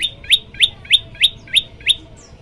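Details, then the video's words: Olive-backed tailorbird song from a training recording meant to make other birds sing along: seven loud, sharp upslurred chirps, evenly spaced about three per second, over a quiet low background hum. "masteran prenjak lumut bikin semua burung ikut bunyi"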